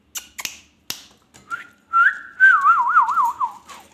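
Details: Ringneck parrot: a few sharp clicks, then a rising whistle that settles into a fast, smoothly wavering trill and ends with a fall.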